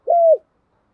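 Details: A single smooth, level coo that trails down at the end, from a female spotted dove used as a decoy to provoke males.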